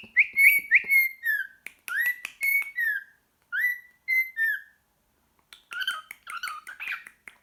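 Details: Pet cockatiel whistling its song in a room: quick rising and falling whistled notes in short phrases with pauses, ending in a burst of rougher chirping.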